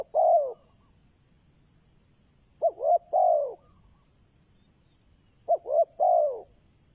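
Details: Decoy spotted dove calling to lure wild doves: a single low hooting coo, then two phrases of two short clipped notes and a longer falling coo, spaced about three seconds apart over a faint low rumble.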